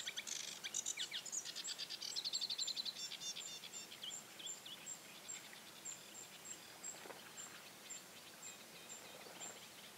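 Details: Young bearded tits, 2017 fledglings, give a burst of dense pinging and buzzy notes at first, then the chatter thins to a steady series of faint high ticks about four per second.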